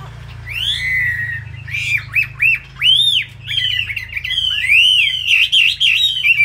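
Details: Chinese hwamei from Hanoi, noted for a loud voice and fighting ability. Arched, ringing whistled notes rise and fall one after another, forming a lively, continuous, melodious phrase.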